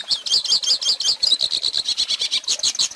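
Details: Hooded siskin singing for teaching chicks: rapid, jangling twitters with high buzzy warbles, a dense stream of quick repeated notes that shifts into more even, evenly spaced chips near the end.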